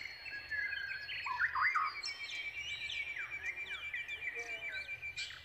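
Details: Nestling Brown Prinias calling while they wait for a parent to bring food: bright, sharp chirps and quick downslurred notes, clustered and excited in the first half, then thinner scattered tweets over a soft background hiss.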